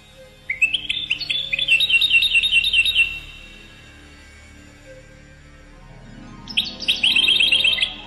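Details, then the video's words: European goldfinch song: two bursts of rapid liquid twittering and trills, the first lasting about two and a half seconds, then a pause, then another burst, with a faint background hum. "Chant Chardonneret"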